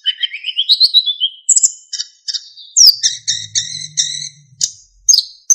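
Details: Narcissus flycatcher delivering a lively master song of fills and clear whistles: a quick rising twittering run, then clipped high chirps and repeated buzzy double notes, with a faint low hum partway through.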